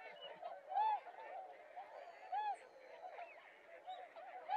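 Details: Mallards in Japan in January, a pair that left the flock to mate, give loud, nasal, arched calls about every one and a half seconds over a steady background chatter of many other ducks.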